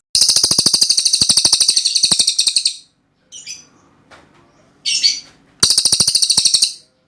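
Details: Cililin singing in repeated rapid bursts: a rattling stream of sharp, very high notes lasting over two seconds, a short pause with faint scattered chips, then another equally fast rattling burst.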